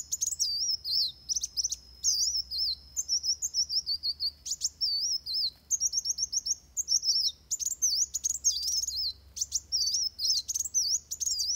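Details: Fighting song of Van Hasselt's sunbird kept for tutoring other birds: long run of high, wavering twittered phrases with frequent sharp ticking bursts, delivered almost without pause across the whole stretch.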